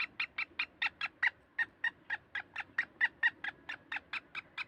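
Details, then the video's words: Black francolin in Sindh, Pakistan delivering a steady, evenly spaced series of grating, clipped notes, roughly four per second, throughout. "Kala Teeter"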